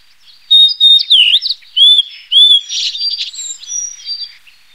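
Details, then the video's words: A Blue-and-white flycatcher sings clear, high whistles with sliding, looping notes, then a softer run of jumbled, scratchy phrases. "白腹琉璃(白腹藍姬鶲)/Blue-and-white Flycatcher"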